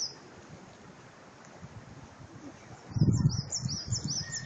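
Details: Bird singing in spring in Zhytomyr's hydropark, a park in Ukraine: after a low rumble of footsteps and handling noise, a run of about six short, high, rising chirps, evenly spaced, over continuing low background rustle.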